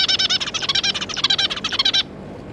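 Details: Family of zebra finches, two adults and three juveniles, recorded 9 June 2022: a steady two-second stream of quick, buzzy, nasal chirps, then silence.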